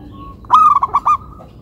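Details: Local zebra dove singing a single cooing phrase: a clear, level hooting note followed by three short, quick coos of the same pitch, each with a rich overtone-laden tone, against quiet background.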